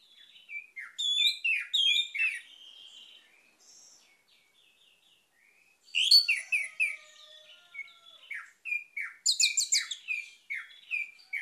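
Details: Vigorous Orange-headed thrush song meant to stir a silent bird into singing. Bright, varied, warbled phrases of quick chirps and sliding whistles, with a short pause, then fast rapid-fire bursts with sharp high notes.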